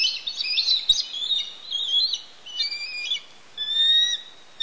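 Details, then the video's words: Bald eagle pair at a Pelican Harbor nest on Santa Cruz Island, screaming loudly as the male delivers a fish to his mate; shrill, high squealing and chattering phrases, with one sharp click near the start. "Screaming for Fish!"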